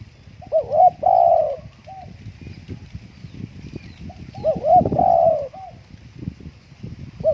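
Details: Over steady low wind rumble, a Spotted dove kept at home on a windy day repeats its phrase twice: a short double coo, then a long hollow coo, with a few soft notes between.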